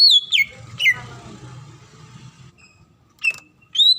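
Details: Female greater green leafbird in breeding condition calls to a male with a few loud, sharply bending whistled notes. Quiet gaps and a soft background hum fall between the notes.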